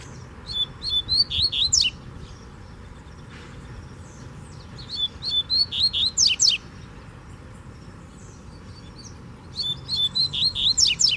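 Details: Rusty-collared seedeater, a free wild bird challenging a caged bird: three bursts of fast, clear whistled and buzzy notes around 3–4k, each phrase rising into sharp high slurs, separated by pauses, over low steady background hum.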